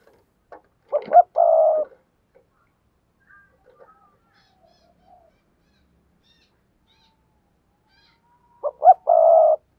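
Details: Spotted dove used as a decoy, cooing to stir rival birds: a low phrase of stuttered notes and a long buzzy coo, silence with faint ticks, then the same phrase repeated about eight seconds later.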